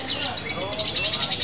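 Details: Short burst from a female fighter lovebird: fast, pulsing, shrill high chatter that grows louder toward the end, with faint music behind.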